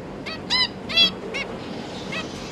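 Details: Zebra finch young being fed by their parents, three juveniles and three newly fledged babies kept together: short bright nasal calls with stacked harmonics, about five bursts over two and a half seconds, over a steady noisy background.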